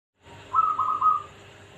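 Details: Local zebra dove from Pekalongan giving one short cooing phrase: a quick run of staccato, bubbling notes at a steady mid pitch, lasting under a second, over a faint steady background hum.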